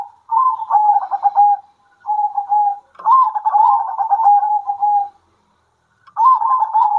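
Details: Local Indonesian zebra doves calling to each other at midday in spirited answering song, each phrase a rolling, trilled coo with a purring rhythm, phrases of one to two seconds separated by short pauses, clean and loud with no other sounds.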